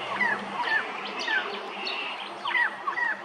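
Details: Lewin's honeyeater at Hervey Bay, Queensland, giving a string of sharp, clipped chirps, several per second, some with a quick downward slur, over a light hiss of background noise.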